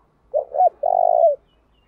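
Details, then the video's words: Decoy spotted dove (cu gáy) calling in the urging 'thúc' style to lure wild doves into answering. A single low cooing phrase: two short throaty notes, then a longer even coo that falls at the end. Quiet background. "Tiếng chim cu gáy thúc bảo đảm bổi nghe gáy liền, chim cu gáy mồi đảo bài liên tục"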